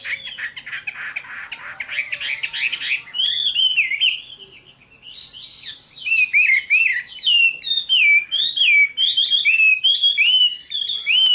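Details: Chinese hwamei opening with scratchy, harsh notes, then after a short lull pouring out loud, varied whistled phrases with sharp upward and downward slides.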